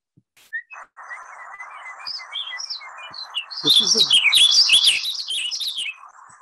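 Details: A Warbling Vireo (Vireo gilvus) sings a rapid, run-on warble of high, tumbling notes lasting over two seconds, after a few scattered thin chirps, over a low steady hum.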